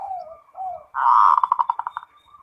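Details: Zebra dove (perkutut) in ngerot song said to raise mating drive: two soft slurred coos, then a loud burst of rapid pulsed notes that gradually spread out and fade.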